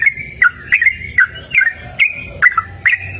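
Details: Yellow-vented bulbul recorded in cool open natural surroundings: loud whistled phrases, each a sharp upward note followed by a falling slur, repeated roughly every half second.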